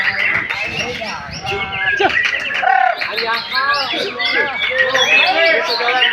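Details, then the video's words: Young Oriental magpie-robin (murai batu), one year four months old, pours out a dense, varied song of rich sweeping whistles and quick chirps, tangled with overlapping sounds throughout. "burung murai batu paud baru 1tahun 4bulan"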